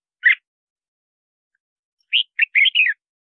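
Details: Red-whiskered bulbul, its song used to attract wild birds and coach singing: one short note, then after a pause a lively string of four or five warbled, bright whistles ending on a falling slur.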